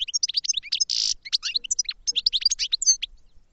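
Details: A goldfinch pours out rapid high chirps and slurred whistles, with a harsh buzzy wheeze about a second in, then continuous bright twittering.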